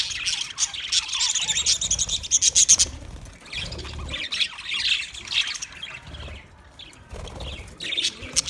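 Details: Budgies chirping: dense rapid chatter and harsh squawks in bursts, loudest at the start, with quieter pauses and a final burst of chirps.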